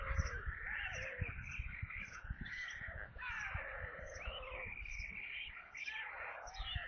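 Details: Nest of white storks in Kaluga region, Russia, at evening feeding on 22 July 2022. Insistent, overlapping whining calls bend up and down with almost no pause. Faint low bumps sit in the background.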